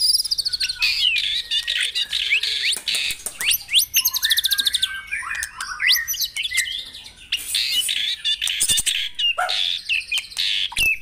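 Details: White-rumped shama song used at morning dewing to stimulate caged birds to sing: dense, varied high whistles, rapid chirps and trills, phrases changing quickly, with short pauses between bursts.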